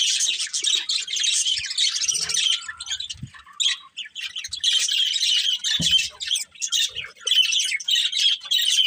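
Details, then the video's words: Budgerigars of a pet family chatter in long runs of scratchy warbling chirps and squawks, pausing briefly now and then, with faint knocks in the background. "Cute Budgies Chirping Sounds"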